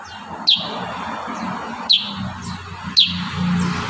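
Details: Kurincang 'tembakan rapat' tutor song: three separate sharp, high, downslurred notes about a second apart, against a steady noisy hum.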